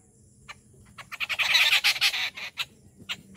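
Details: Rufous treepie at a morning feeding at a home. A few scattered notes lead into a single loud burst of harsh, rapidly repeated squawks lasting about a second, then a few more isolated notes trailing off.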